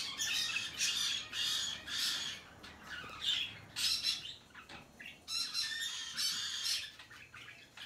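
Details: A hand-tame rosy-faced lovebird, recorded 21 March 2020, gives about a dozen harsh, buzzy, high-pitched squawks in quick bursts, each under half a second, with brief pauses between.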